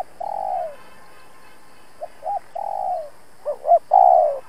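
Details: Spotted dove kept as a trapping decoy, cooing to provoke wild rivals: long falling coos alternate with quick pairs of short hoots, each phrase ending in a drawn-out, slightly descending note.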